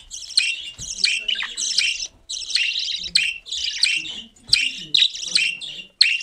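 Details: Cockatiel chatter: rough, raspy high-pitched call bursts of about half a second each, separated by short silent gaps, with a few sharper clicks between them.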